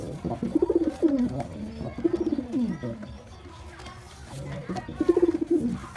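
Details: Courting white pigeon, filmed kissing and mating: repeated throaty coos, each a short rolling burst falling in pitch, about four phrases spread through the recording with quieter gaps and low room noise.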